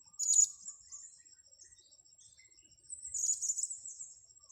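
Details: Blue-crowned hanging parrot, in a setting of luring the birds, giving two bursts of very high, thin, shrill chirps about three seconds apart, over a steady high whine.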